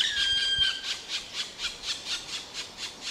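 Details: Black woodpecker call series, quicker here at about four harsh notes per second, opened by a brief thin whistled tone.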